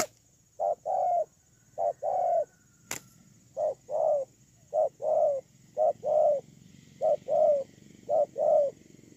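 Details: Ground decoy spotted dove cooing, recorded 8 October 2018: repeated two-part phrases, each a brief low hoot then a longer slightly falling coo, about seven phrases in succession with one sharp click partway through.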